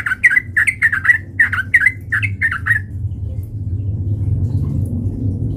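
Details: Sooty-headed bulbul singing as a fighting lure: rapid bubbly, slurred notes in a burst lasting nearly three seconds, followed by low rumbling background noise.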